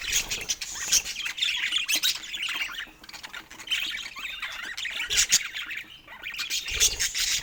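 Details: Several pet budgies chirp and squawk in busy overlapping chatter, with sharp bright clicks and a brief quieter lull near the middle.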